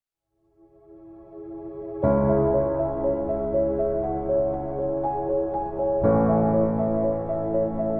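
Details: Soft ambient keyboard music that swells in after a quiet start, with sustained chords changing every few seconds and no animal sound.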